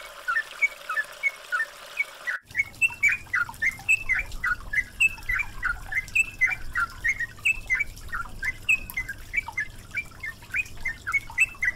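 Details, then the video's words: Yellow-vented bulbul (trucukan) training recording mixed with flowing water, used to make a bird sing readily: dense, busy bursts of squeaky chirped notes tumbling quickly and continuously after a short opening run of chirps. "MASTERAN BURUNG TRUCUKAN GACOR"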